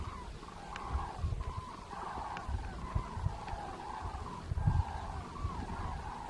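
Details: Distant cranes in the Svislach river floodplain on 29 September 2018 bugle together in a steady, wavering chorus of rolling mid-pitched calls, over a low rumble of wind or traffic.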